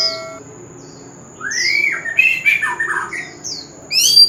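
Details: Oriental magpie-robin, wild-caught, heard in sound used to stimulate singing: after a brief high note and a quiet gap, a rising whistle leads into scratchy, tumbling mixed notes and ends with high sharp chirps.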